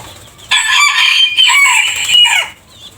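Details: Crowing rooster with a distinct voice, from a collection of varied crows: one bright, ringing call of about two seconds with slight wavers, ending in a falling slur.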